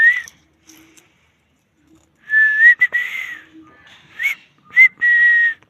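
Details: Parrot kept as a pet gives clear whistled phrases, a short note, then longer wavering whistles with small rising and falling bends, a sharp upward slide, and a final steady tone; faint clicks and soft noises between phrases indoors.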